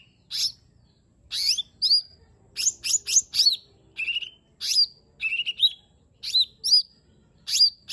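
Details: Energetic song of a lesser green leafbird, played to stir a silent bird into singing: loud sharp whistles, slurred upswept notes and short buzzy trills in clustered bursts separated by brief pauses.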